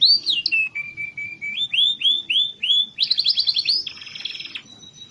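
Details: Song of a canary, played to prompt lazy canaries to sing: a falling whistled note, a repeated series of short rising-falling whistles, then fast buzzy sweeps and a rattling trill ending on a thin steady tone.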